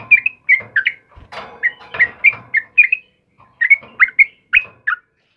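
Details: Trucukan kebo, the sooty-headed bulbul, in energetic morning song: quick liquid whistled notes in pairs and triplets, with a brief burst of rustling noise midway, then clear chirpy notes resume.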